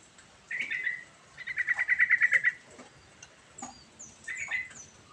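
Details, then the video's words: Yellow-vented bulbul singing a varied rolling song for luring a silent bulbul into song: a short chirp, then a quick run of loud, bubbly repeated notes, followed by a brief chirpy phrase and faint high calls. "Burung Trucukan Gacor Ngerol Isian Variasi Sangat Ampuh Buat Pancingan Trucuk Macet Bunyi"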